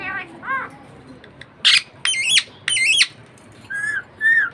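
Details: Budgie parakeet kept as a pet giving loud harsh squawks with wavering stepped tones, a few soft curved chirps before and after, and one bright upswept note.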